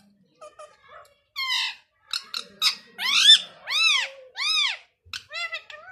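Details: Rose-ringed parakeet, a ringneck parrot, vocalizing at length: a run of loud arched, harmonic squawks and whistled syllables with short gaps, some notes clipped and chattering, against a quiet indoor background.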